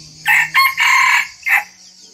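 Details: Mini decoy red junglefowl, said to crow diligently at every dawn, more reliable than an alarm clock. A loud, harsh crow broken into four bursts over about one and a half seconds, over a low steady hum.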